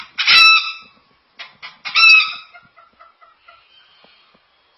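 A cockatoo imitates a chicken: two loud, harsh, cackling squawks about two seconds apart, then a run of soft, quick clucks that fade away.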